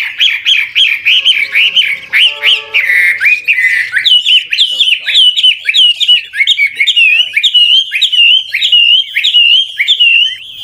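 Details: Chinese hwamei, an old wild bird, singing constantly changing trilled phrases to encourage young birds to sing; loud looping whistled notes repeated in a steady rolling run, broken briefly by a harsher nasal note.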